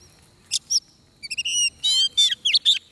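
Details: Oriental magpie-robin heard during trapping, fighting-song style: two short chirps, a pause, a fast stepped series of clear notes, then a harsh buzzy sweep and loud chirps.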